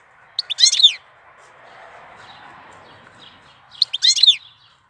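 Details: Goldfinch song in April, two short bright bursts of rapid twittering and descending slurred notes about three seconds apart over a faint steady hiss.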